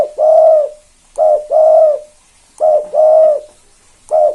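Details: Spotted dove in the 'kuk 2' calling style, kept as a tutor bird to draw other doves into calling. Low hollow coos come in pairs, a short note then a longer sustained one, repeated about every 1.4 seconds with quiet gaps.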